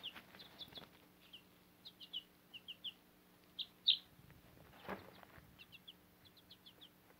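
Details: Tiny backyard chicks, almost grown, with a Cochin mother hen on fodder; clear, high, short peeps are repeated through the clip, some louder and longer, along with brief rustles and a thump.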